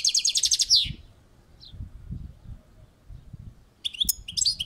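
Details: European goldfinch on a balcony giving a quick buzzy trill ending in a downslurred note, then after a pause a jumble of sharp twittering notes, with low background rumble throughout.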